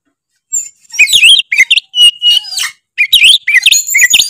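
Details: Oriental magpie-robin in full, continuous song said to provoke other magpie-robins: loud, high, sweet whistled phrases with rapid chattering trills and quick up-and-down slurs, delivered in dense bursts separated by brief pauses.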